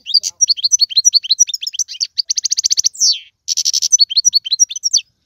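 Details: European goldfinch in full song, tiwawati, galoubi and serfati styles: rapid liquid twittering notes, a rolling trill, a descending buzz, then another dense trill and more twittering phrases.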